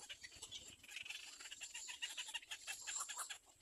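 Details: Little egret chick pecking at its mother for food, giving a rapid, continuous stream of dry, scratchy ticking notes, many per second, with a thin high hiss running throughout.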